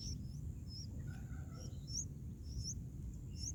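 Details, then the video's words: Young bulbuls being fed in the nest, day four: scattered high, squeaky chirps, some paired and rising, with softer lower notes between them and a constant low background hum. "Bulbul Baby Birds Feeding baby birds in Nest"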